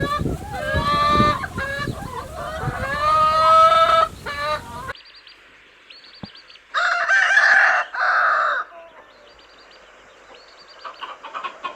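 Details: Rooster crowing: a long, harmonic, wavering crow over background noise, followed after a pause by a second, more distant crow and faint further calls.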